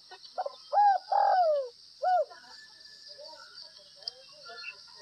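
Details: Spotted dove from Tây Bắc, Northwest Vietnam, giving a gáy gù (bo) coo: short lead notes, an arched coo, a long descending slurred coo, then a closing arched note, followed by quieter distant bird calls and a steady high insect hum.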